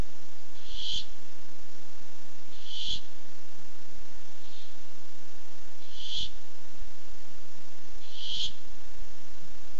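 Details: Barn owl seeking food, recorded by webcam on 8-7-15: five harsh, breathy screeches at irregular intervals of about one and a half to two seconds, one fainter, over low hum.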